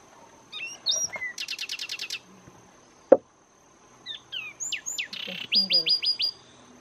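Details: Song of the Zapata Wren, endemic to Zapata Swamp, Cuba: bright whistled slurs then a fast rattling trill, a brief pause after a sharp knock, then sweeping whistles, a buzzy burst and four rising whistled notes in series.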